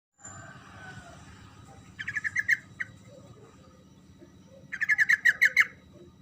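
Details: Yellow-vented bulbul singing a lively, rolling song used to provoke silent bulbuls to answer. Two bursts of quick, bright chirping notes, the second longer, over a steady low hum.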